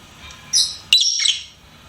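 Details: Two sharp, shrill lovebird chirps, the second a longer, buzzy squeal, from a pet bird indoors.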